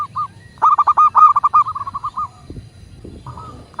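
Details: Local zebra dove used as a master recording to prompt caged doves to coo: a rapid run of short, rounded cooing notes that slows and fades, followed by quieter scattered notes.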